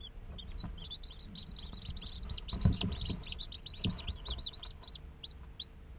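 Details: Chirping day-old chicken chicks in an incubator: a busy chorus of high, bent peeps overlapping rapidly, roughly three per second, with occasional soft knocks and rustles underneath.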